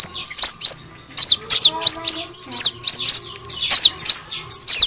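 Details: Lure recording of the kolibri wulung sunbird: bright, high-pitched chirps in quick bursts, each note swooping down then up, repeated several times a second with short gaps.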